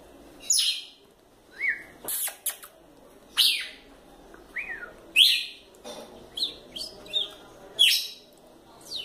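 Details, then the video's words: Red-cowled cardinal female, called fiery, repeats brief rising whistles and chirps among loud sharp clicks and snaps, irregularly spaced over several seconds. "Galo de campina fêmea fogosa"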